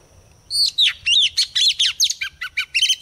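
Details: White-rumped shama female singing as a lure to stimulate males: a dense, rapid sequence of chirped and slurred whistles, with steep downward sweeps and varied short notes.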